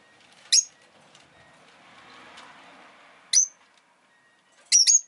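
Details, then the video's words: Three thin, shrill chirps from a pet rosy-faced lovebird, the last one doubled, set against a soft background rumble of town noise. "Lovebird Chirping Sounds"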